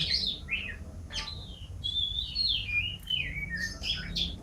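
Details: Champion canary singing varied warbled notes: gliding whistles, short slurred phrases and a higher chirp, moderately quiet over a steady low background hum.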